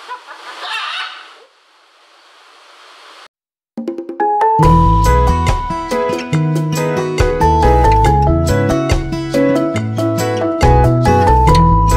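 A brief hiss of background noise, a short silence, then steady instrumental music with a strong bass beat; no animal voice is heard.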